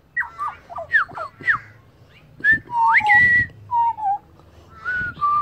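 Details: Wild pied butcherbird in Australia, a bird that sings while resting and can copy other birds' songs, giving clear fluted whistles: quick falling notes, then a rising slur into longer level and gently falling whistled phrases, with faint low knocks behind.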